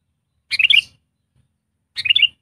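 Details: Trained decoy sooty-headed bulbul, used as a tutor for bulbuls slow to sing: two short bubbly, warbled phrases about a second and a half apart, each a quick run of four or five liquid notes, with a faint low rumble beneath.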